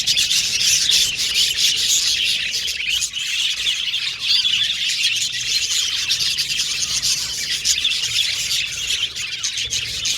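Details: Group of Australian pet budgies singing and chirping, unbroken high chatter and squawky warbles from many birds at once, with brief slight dips in loudness.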